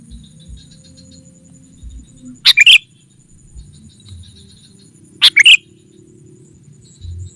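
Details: Sooty-headed bulbul lure call to gather wild rivals: two short bright chirp phrases nearly three seconds apart, over a low murmuring background with faint distant twitters.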